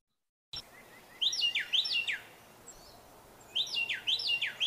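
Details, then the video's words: A Carolina wren, a common, loud bird that stays close to homes, sings loud, rolling phrases of three or four ringing, down-slurred notes in two bursts, with other birds faintly chirping behind. "And so we're going to take a moment and listen to the Carolina wren song."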